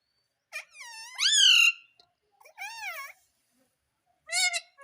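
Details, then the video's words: Talking parrot said to say "mummy": three voiced, harmonic, speech-like calls, the first long and swooping upward, then a shorter wavering phrase and a brief final call, in a quiet setting. "मम्मी बोलने वाला तोता _ Mummy Bolne Vala Tota _ Talking Parrot _ मम्मी मिट्ठू"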